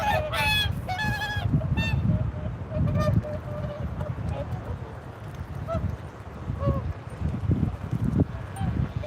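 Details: Swans honking: a burst of loud nasal, harmonic calls at the start, then sparser single honks over a constant low rumble of wind or water.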